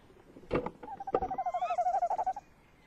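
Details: Male tawny owl in a nest box on the evening of 30 May 2015, two loud knocks or bumps followed by a pulsing, wavering trill of about a second and a half.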